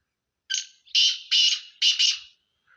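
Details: Sindhi kala teetar, a black francolin, delivering a single grating call: a brief scratchy first note followed by four loud, coarse rasps grouped in two pairs, with nothing else audible.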